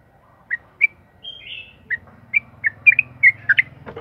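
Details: Sooty-headed bulbul singing fast and continuously, used to prompt other birds of its kind to sing: spaced, crisp whistled notes that quicken toward the end, with one buzzy slurred note early on.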